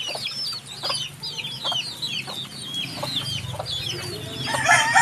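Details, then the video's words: Chicks peep in a busy chorus, high descending chirps repeated fast and unevenly, with a low hum beneath and a loud noisy burst at the very end. "HUNI NG SISIW, ACTUAL FOOTAGE CHICKS SOUND"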